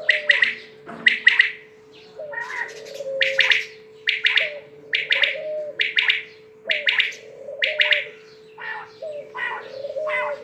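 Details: A quail utters sharp triple-note calls again and again, roughly one phrase per second, interspersed with low rising-and-falling whistles and a steady electrical-sounding hum.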